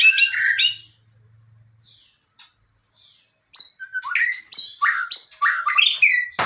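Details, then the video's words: Fighter-style white-rumped shama (murai batu) opening with a loud whistled flourish, pausing nearly two seconds, then firing sharp, high, rapidly repeated whistled notes in quick succession. "Murai batu fighter"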